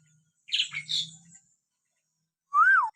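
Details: Common hill myna call used to provoke pet mynas into singing: soft raspy chatter, silence, then one loud, clean whistle rising and falling in an arch.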